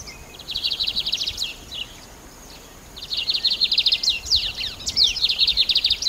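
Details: Lined seedeater song made of fast, high, rattling buzzy trills lasting one to two seconds, broken by a short quiet gap and sharp falling chips, with light background hiss.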